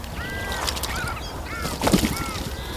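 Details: Iberian magpies in a group bathing at a fountain give drawn-out arched calls, rising then falling, several in quick sequence, against loud running, splashing water.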